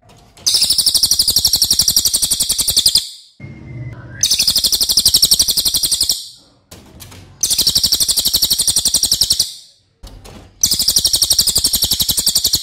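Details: Masteran song of the loud cililin, heard in four separate bursts of rapid, piercing high chattering notes. Short silences between bursts hold faint clicks, a brief whistle and handling noise.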